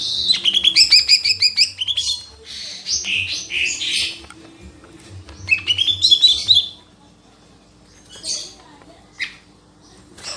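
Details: Lesser green leafbird in full song, a fast string of high whistled notes, then harsh buzzy rasps, then another rising whistled run, and scattered sharp chips as it ends.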